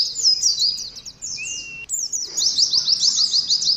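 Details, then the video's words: Oriental white-eye singing in the ngalas style, kept with a caged colony: rapid, high, slurred chattering notes in a dense run, broken by a short pause, with a thin, steady, lower whistle in the middle. "TERAPI ADU NGALAS SAAT KOLONI PLECI"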